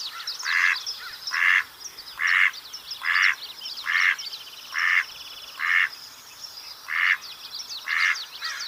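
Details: Mallard, or wild duck (Anas platyrhynchos), quacking: about ten harsh, nasal quacks spaced almost evenly, roughly one each second, over a steady background of high chirps and twitters from small birds.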